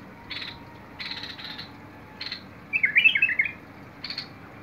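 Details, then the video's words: Bulbul singing on 21 August 2022: several harsh, buzzy chattering notes, then one loud, liquid warbled phrase, followed by another rasping note, over a faint low background hum. "تغريد البلبل"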